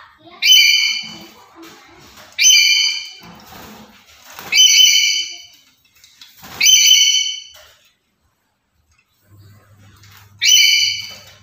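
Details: Black-capped lory, a captive bird that calls diligently every day. Loud, harsh, nasal squawks with strong banded overtones, five bursts spaced about two seconds apart, then a quiet gap near the end before a final squawk.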